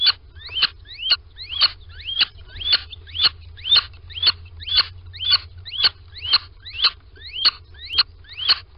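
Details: Little owl at a nest box in Sprundel on 13 February 2020, morning, as a pair enters the box; squeaky upward-sweeping calls repeat about twice a second in a steady series over a low background hum.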